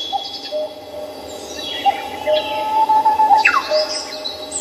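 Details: Morning birdsong at Samcheong Park in Seoul: scattered high chirps and thin descending whistles over a steady low hum, with a few brief louder notes.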